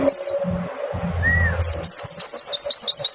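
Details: White-eye lure song to set other white-eyes singing: one high descending slur, a short lull with a soft lower whistle, then a lively stream of rapid, high, rolling notes.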